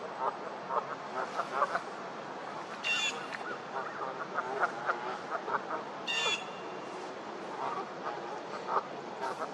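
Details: Several Canada geese honking during a fight: a continual chatter of short honks from many birds, broken twice by a sharp, high squeal.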